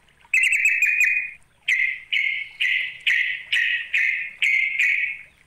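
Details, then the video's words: A Yellow-vented Bulbul gives a fast challenge call meant to provoke a rival: a rapid stuttering burst, then eight harsh, buzzy chattering notes at a steady pace, about two per second. "Panggilan trucuk memanggil lawan"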